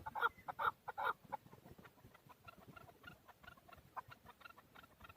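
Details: Chukar partridge, a male, recorded in Darvoz, Tajikistan in 2020: three loud, harsh chuk notes open the sequence, then a quicker run of softer clucks follows at a lower volume.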